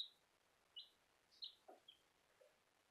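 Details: Bielefelder chicken chicks giving a few high, thin peeps spaced irregularly, with a faint lower rustle between them in a quiet room.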